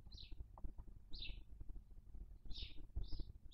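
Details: At a Cabañeros National Park nest, a female barn owl eats her dead chick; high, scratchy chirps sound about every second, some in quick pairs, over constant low-frequency rumble.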